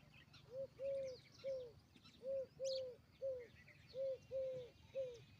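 A peahen gives short, clear, slightly arched notes in quick sets of three, nine in all. Faint chirps of small birds sound in the background.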